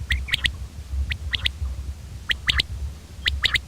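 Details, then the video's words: Common quail calling: short, sharp three-note phrases repeated about once a second, each note a quick bright pulse, over a low rumble of background noise. "common quail bird sound"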